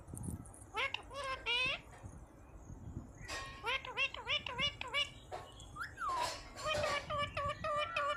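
A parrot makes high, nasal, speech-like syllables in quick bursts, with a rising squeak near the end, over a soft rustling background.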